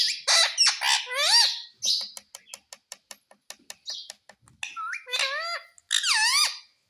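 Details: Pet parrot indoors, saying "mummy": loud squeaky harmonic syllables, then a steady series of about ten sharp clicks, then more wavering voice-like notes repeated in quick succession.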